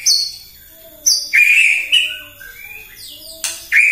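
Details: White-rumped shama singing in the morning to provoke other birds: sharp high notes alternating with long, smooth, slightly falling whistles, some softer lower notes underneath.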